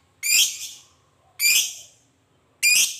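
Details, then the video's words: Fighter lovebird's ngekek chatter, used to stir other lovebirds to reply, heard as three loud, harsh, rasping high bursts about a second apart, each trailing off, with faint low hum behind. "suara Lovebird Fighter ngekek panjang pancing emosi,baru dengar suara nya langsung nyaut ikut Ngekek"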